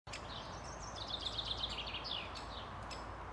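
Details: A great spotted woodpecker in Ljubljana Botanical Garden, Slovenia, on 31 May 2023 gives a quick series of about eight sharp, high, clipped notes over roughly a second, against a steady broad background roar.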